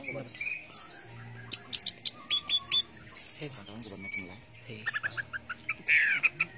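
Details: Orange-headed thrush singing in the teler style, a rapid jumble of high chirps, trills and short whistles with a few downslurred notes, over a faint low hum.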